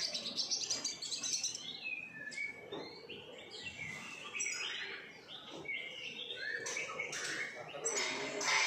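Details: Captive-bred siskins in a home collection: scattered high chirps, short whistles and twittering phrases from several birds, with some low background rumble.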